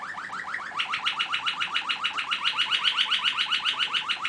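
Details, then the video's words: Male Belgian Waterslager (Malinois) canary singing alone, a fast, liquid rolling tour of about four notes a second, rising from a lower trill into a brighter, bubbling run; nothing else is heard. "малинуа (ватерслагер)"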